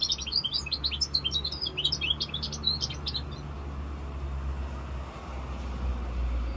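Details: Young goldfinch mule, five months old, labelled 'rosse corsica', gives a fast stream of high, sparkling twitters and trills for about three seconds, then silence over a steady low rumble.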